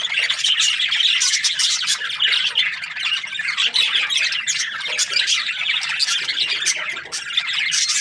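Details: Budgies in breeding pairs chirping together: harsh squawks, buzzy chatter and sharp ticks pile over each other continuously, briefly softening near the end before resuming.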